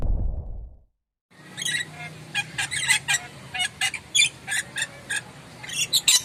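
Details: Moluccan lory giving loud, sharp, harsh screeching calls, repeated in rapid irregular bursts after a short opening silence, with a steady low hum underneath.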